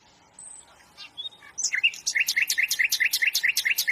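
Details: Sikatan londo flycatcher song. A few thin whistles build into a steady rhythmic series of sharp, falling two-part chirps, roughly two or three per second, over soft background noise.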